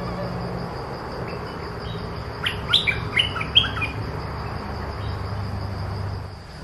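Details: Oriental magpie-robin delivering a short burst of bright whistled notes midway, set against low rumbling background noise and a steady high hiss.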